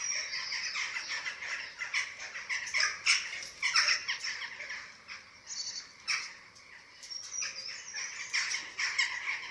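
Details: Eurasian eagle-owl nest in Germany, webcam recording from 27 March 2024 at feeding time for the chicks. Continuous scratchy, hissing rasps come in irregular surges over a low, steady background hiss.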